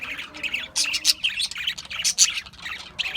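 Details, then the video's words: Australian budgies chirping in short scratchy bursts about every half second, with bright squeaky peaks between rasping warbled notes. "Budgies Chirping Sounds"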